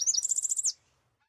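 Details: Tropical parula phrase of quick high notes flowing into an even, rapid buzzy trill that drops away abruptly into quiet.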